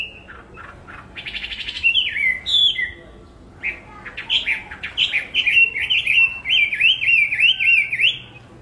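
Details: Hwamei singing loud, varied whistled phrases: slurred notes rising and falling, a bright burst near two seconds, then a run of wavering, repeated whistles toward the end.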